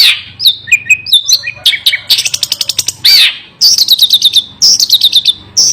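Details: Long-tailed shrike pouring out a fierce, unbroken song of whistled slurs, a dry rattling series, a harsh rasp and repeated chattering bursts.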